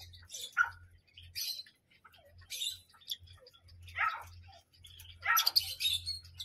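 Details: Parrot in a small room giving scattered short harsh chirps and scratchy bursts, some rising to high squeaks, with gaps of quiet and a low steady hum underneath.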